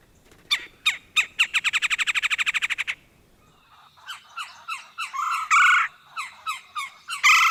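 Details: Red-bellied woodpecker drumming, played back: a rapid, even burst of sharp taps lasting about two and a half seconds, followed by a quiet gap and then a run of harsh, squawky, irregular calls rising in loudness toward the end.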